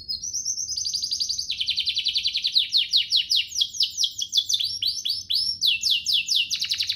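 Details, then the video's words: Canary singing an elaborate, varied song meant as a tutor for juvenile canaries and a trigger for others: an unbroken stream of fast, high, rolling trills, each sweeping downward, shifting pitch and speed throughout. "Cengkoknya MEWAH, Efektif buat Masteran kenari paud dan pancingan kenari biar gacor"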